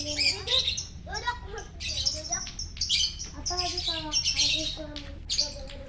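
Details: Champion lovebird in gacor morning song, Jatihandap, Bandung: rapid squeaky, buzzy chatter punctuated by stacked whistled notes that swoop upward, loud pulses every second or so.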